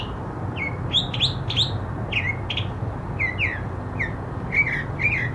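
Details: Singing mockingbird delivers a lively mix of swooping upslurred and downslurred whistles, some notes doubled, with short pauses between phrases; low steady rumble in the background.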